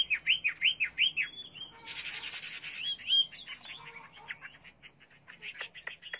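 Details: Hwamei song beginning with five quick, looping whistled notes, followed by a noisy rustling burst and then softer, scattered chirps and clicks.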